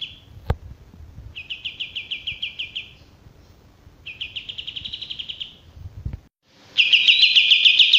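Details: Male olive-winged bulbul repeating quick trilled phrases of bright bubbling notes, three bursts separated by short pauses, with a couple of sharp clicks between them.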